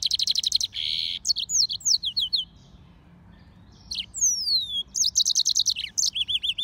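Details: A yellow-fronted canary x canary hybrid sings fast trills and slurred chirps, pauses, then gives a long descending whistle followed by rapid repeated notes.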